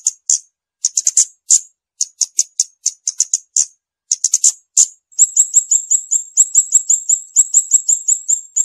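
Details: Scarlet-backed flowerpecker delivering sharp, very high ticking notes in uneven groups, then switching to a long, fast, even series of thin high chips.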